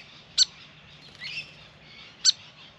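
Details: Two crisp, high chip calls about two seconds apart from a hyperactive Grey fantail at a garden birdbath, with quiet warbling of other birds between them.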